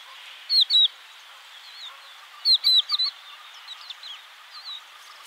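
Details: A crested lark (Galerida cristata), a European bird, sings two short bursts of clear, slurred, high, liquid whistles about two seconds apart, with fainter chirps from other birds in the background.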